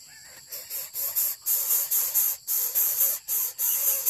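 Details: A kept Greater Coucal chick begs for food with loud, harsh hissing bursts, each about half a second long and separated by short gaps, in an irregular series.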